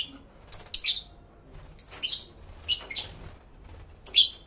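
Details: Pet lovebirds calling to each other, stereo recording: sharp high shrill chirps in short bursts, several grouped together, about four bursts over four seconds, quiet background between.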